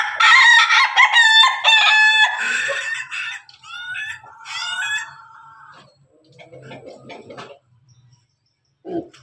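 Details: Pelung and Ketawa cocks crowing together: a loud, rich crow in stuttering, repeated segments slides downward and trails off into softer wavering notes, then silence and a faint final sound.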